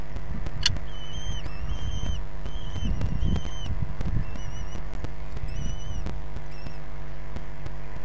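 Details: Common kestrels at a nest in Brest, Belarus, give thin, high, chirping calls in short bursts about every half second during a feeding on 6 June 2022, over a steady low rumble of background hum.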